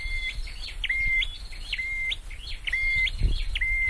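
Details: Caged scarlet-headed flowerpecker kept for song training, giving a repeating phrase of sharp upswept notes and flat level whistles, cycling roughly every second, with low background rumble.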